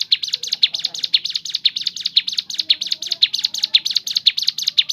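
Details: Wild-sounding song variation from a Crescent-chested babbler, played to lure other birds into song: a rapid run of shrill, high chirps, evenly spaced, over a quiet low hum.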